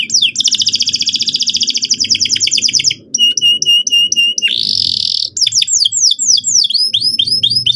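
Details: Canary song for provoking another bird: long rapid rolling trill, short clipped whistles, a brief buzzy burst, then quick descending sweeping notes, over a faint low hum.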